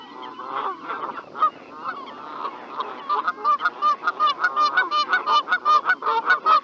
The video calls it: Call of Canada Goose